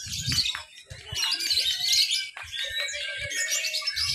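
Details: At a Papua, Indonesia lovebird practice contest, mixed class B, Sunday 31 October 2021, a caged lovebird delivers sustained 'ngekek' chatter, a high, dense, buzzy stream of rapid notes with brief dips, plus faint low thumps and distant voices.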